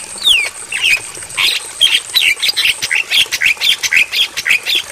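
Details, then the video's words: Jalak kebo, the Javan myna, in a night-time training recording: one falling whistle, then a long, irregular chain of hoarse, chattering squawks about two per second over a constant thin high hiss. "Masteran Bagus Untuk Burung Jalak Kebo"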